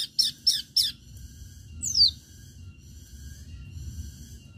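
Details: Long-tailed shrike singing to lure other shrikes into song: three quick harsh notes followed by a single high, sharply descending whistle, then quiet.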